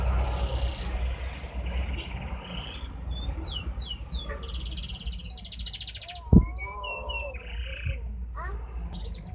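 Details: Canary, described as 'badai', sings a varied, jumbled phrase of sharp downslurred whistles, short buzzy trills and clipped chirps, with one loud knock midway and a constant low hum behind.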